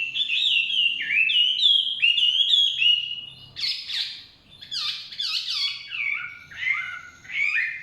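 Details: Forest Chinese hwamei song: fast series of repeated swooping whistled notes, then harsher burry bursts and looping downslurred phrases, delivered loudly with short gaps.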